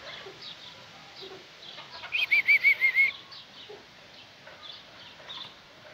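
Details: European goldfinch singing a 'marol' song: a quick burst of about six bright, tinkling notes in under a second, with faint scattered chirps before and after.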